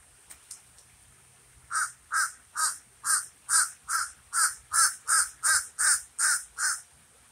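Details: Common raven calling, a run of twelve harsh, hoarse caws evenly spaced about every third of a second after a brief quiet start with a few faint clicks.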